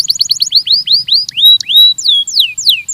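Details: Belgian canary singing on a training recording. Quick downslurred whistles slow into wider swooping notes, then longer rising and falling pure whistles, all clear and bright over a faint low hum.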